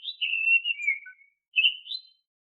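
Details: Oriental magpie-robin song meant as a lure for young caged birds: a long, clear whistled phrase gently falling in pitch, a short pause, then a rising two-part whistle. No other sounds.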